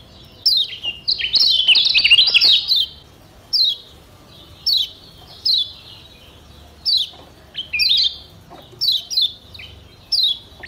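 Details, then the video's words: Yellow white-eye, the Lombok kecial kuning, kept as a cage bird and played as a master recording for training other birds to sing; short descending high whistles repeated every second or so, with a longer rapid twittering burst near the start. "Masteran Kecial Kuning PENYEGAR Ampuh Bikin Kecial SEHAT dan RAJIN BUNYI"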